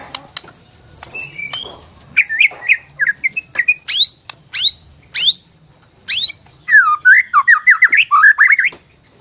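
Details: White-rumped shama, Borneo type, sung to provoke other shamas into song and fighting: scattered clicks and sharp upward sweeps, then long strings of rapid, bouncing looped whistles, loud and varied.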